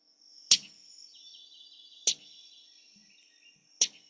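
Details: Male Common Yellowthroat, hidden deep in thick bushes in Maine in spring, giving three sharp, wet chips, one roughly every one and a half seconds, like a quick wet rattle, over a thin steady whistle and faint trills from other birds.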